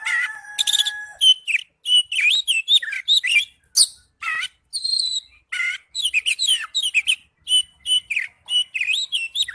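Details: Oriental magpie-robin singing in ngipas style: rapid, varied sequence of short whistled and chipping notes, slurred up and down, packed densely over nine seconds, opening with a long steady whistle; clean, quiet background.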